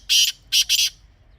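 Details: Grey francolin call used for hunting: three loud harsh, screechy bursts, one long then a close pair, in a quiet setting.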